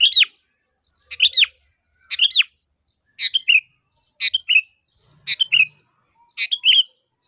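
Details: Sooty-headed bulbul giving a lure call to get other bulbuls to answer: seven short, clear phrases of two or three quick notes, repeated roughly once a second with steady spacing.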